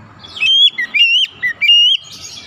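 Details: Oriental magpie-robin song played to make stalled or stressed magpie-robins sing: a few loud, pure whistles rising and falling in a quick sequence, over a low background rumble.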